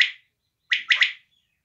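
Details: Native quail (desi batair) giving a short sharp note, a pause, then a fast three-note phrase of clipped, bright pips with nothing else audible.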